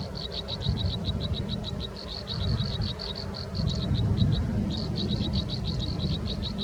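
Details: American robin nestlings in the nest during nesting season, being fed by a parent: rapid, steady runs of short, high chirps, with brief gaps, over a constant low rumble.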